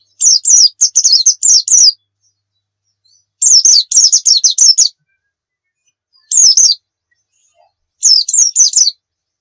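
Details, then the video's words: White-eye delivering rapid 'nembak' song in separate bursts: quick series of high falling whistles lasting one to two seconds, repeated four times with silent gaps between, recorded for training. "Masteran Pleci Nembak"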